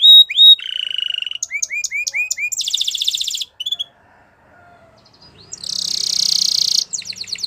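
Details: Singing canary: a few clear whistled notes, a steady low trill, a run of upslurred chirps and a rapid high buzzing roll, then a brief pause before another long rattling tour.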